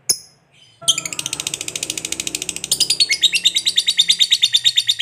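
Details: After a brief opening chirp, a lovebird launches into long ngekek chatter, rapid rasping high notes in an even rhythm that turn more ringing partway through, used to provoke other lovebirds to answer.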